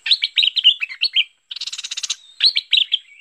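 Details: Merbah lekir bulbul sounds for luring birds: a rapid run of bright, slurred chirps, then a harsh, raspy, buzzing burst, then a few more chirps.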